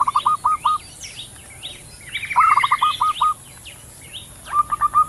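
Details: Male and female zebra doves exchanging calls outdoors. Short runs of brisk staccato coos, one ending in a rolling trill, are broken by pauses. A high twittering from other birds and a constant hiss fill the background.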